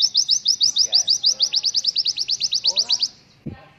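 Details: White-eye song used as a tutor recording for young birds: a fast run of about twenty-five high, thin chirps, roughly eight per second, with faint lower chatter beneath and a brief low thump at the end.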